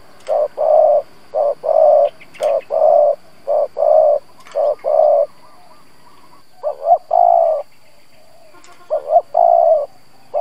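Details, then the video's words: Spotted dove used as a decoy for wild doves coos in gù style: a run of paired short and long low notes, then a pause and two phrases opening with quick doubled notes before the long coo; faint clicks. "Cu gáy mồi Gù siết bổi nhập tàn, chim cu gáy kích bổi nhanh nổi"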